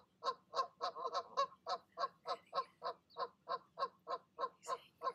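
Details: Goose parents calling their goslings down from the nest in the evening: a steady run of loud, harsh, nasal honks, about three each second, with a faint high peep near the end.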